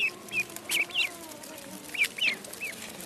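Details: Pond duckling giving a few scattered high peeps, short and slurred up and down, spaced unevenly against steady background hiss.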